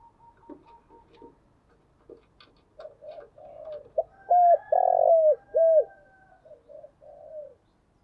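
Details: Spotted dove calling in the gù and gáy gọi style used to lure other doves. Faint clicks and soft murmurs lead into a loud phrase of three clear, downward-bending coos with a rolling middle note, then fading soft coos.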